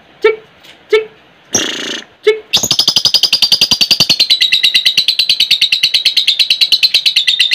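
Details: Lovebird ngekek used as training bait: a few sharp clicks and short notes, then a fast rattling chatter that runs unbroken for about five seconds, high and slightly descending.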